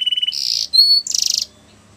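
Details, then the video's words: Russian canary in flute song, a short burst with a level low trill, a buzzy rattling phrase, a pure sustained whistle, then another buzzy trill. "Russian Canary Flute Singing"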